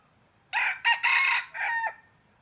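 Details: Decoy red junglefowl crowing, kept to lure wild birds for trapping: a short four-part crow, a loud opening note, a brief hitch, a long harsh middle note, then a falling final note, over quiet background.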